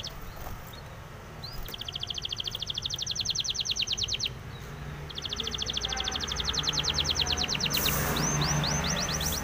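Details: Spanish timbrado canary song for training canaries: two long rapid trills of repeated high notes, then a faster rising series near the end, over a low background hum.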